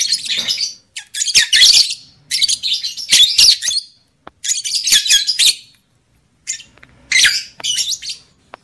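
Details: Female lovebird sounds played to excite breeding in males and females: repeated harsh, shrill chattering phrases about a second long, separated by short silences, fairly steady throughout.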